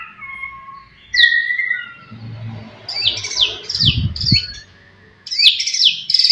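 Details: Murai batu (white-rumped shama) singing to provoke rival birds: low pure whistles, then a slurred rising note and a run of sharp descending whistled phrases, with brief low thumps in the background.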